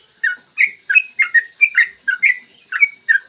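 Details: Morning lure recording of a yellow-vented bulbul singing nonstop in 'ropel panjang' style, meant to stimulate other bulbuls: a steady string of about a dozen quick, liquid warbled notes, each briefly rising then falling.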